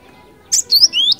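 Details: Cinereous tit singing, recording used as a lure. Loud high whistled notes, a sharp upslurred phrase then two rising whistles, in quick succession after brief quiet.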